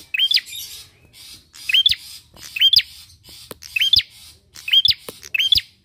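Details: Energetic bar-winged prinia song used as a lure to get other birds singing: six sharp upswept chirps, each with a buzzy edge, come at slightly uneven intervals of about a second.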